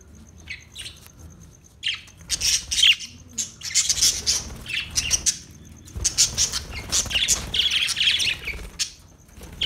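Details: Australian budgie in busy, scratchy chatter, a continuous stream of high warbled and buzzy notes with brief pauses.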